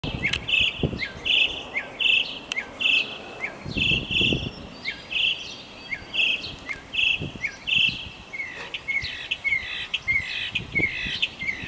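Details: A male mockingbird singing steadily, each phrase a bright chirped note repeated several times before switching to a new one, with a later run of quick sliding notes and faint rustling below.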